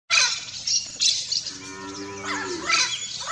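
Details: Turquoise-fronted amazon (Amazona aestiva) giving harsh, raspy squawks, then a drawn-out nasal, moo-like note near the middle, followed by more grating screeches.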